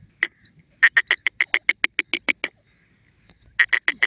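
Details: Teetar, or Iranian partridge, calling: a long burst of roughly twelve rapid, raspy, evenly repeated notes, then a second of quiet, then another quick run of five notes.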